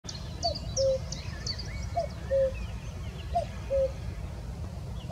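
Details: A Common cuckoo at Abcoude, Netherlands, on 4 May 2024 gives its familiar two-note falling 'cu-coo' about every one and a half seconds. Faint high chirps of other birds and a low background rumble sound behind it.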